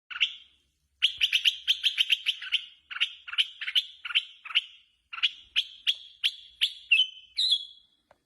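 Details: Red-whiskered bulbul singing in a contest style, described as released outside and calling fiercely. It gives rapid bursts of sharp, chattering notes in several phrases separated by short pauses, ending in a drawn-out whistle.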